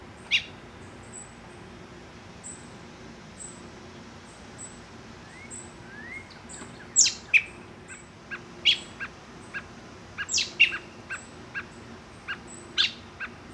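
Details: American robin fledglings in July begging for food and calling to their parents: sharp, high, squeaky chips at an uneven pace, bunching up in the second half, over faint steady high ticking and a brief rising whistle.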